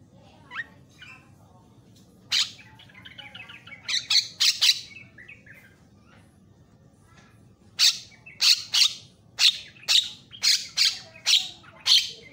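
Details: Javan myna song from a varied training recording meant to rouse other mynas: scattered chattering and short whistles, then a steady series of about ten loud, raspy notes spaced under a second apart.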